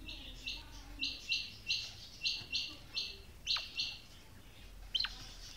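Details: Calling female quail gives a steady run of short, raspy, buzzy notes, about three per second, followed by a few sharp descending slurred whistles and a final rising-falling note; quiet background.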